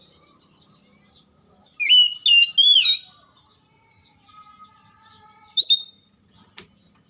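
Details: Oriental magpie-robin song meant to coax lazy or silent birds into song: soft chirps, then a loud run of three rich, slurred whistles, a quieter gap with a faint tone, one more whistle and a click.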